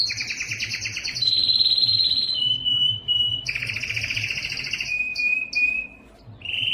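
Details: A yellow canary delivers a dense trill, then clear sustained whistles stepping lower, another rolling trill, and short high notes after a brief silence.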